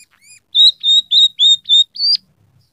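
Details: Scaly-breasted munia singing, described as filled with rough canary-style phrases plus sparrow and red siskin sounds. Six clear, loud whistled notes of similar high pitch come at steady half-second intervals, the last one sliding upward.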